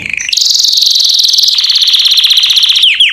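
An American Singer canary delivers a fast, high, ringing trill of rapid repeated notes that shifts tone midway, then ends with two quick downslurred whistles.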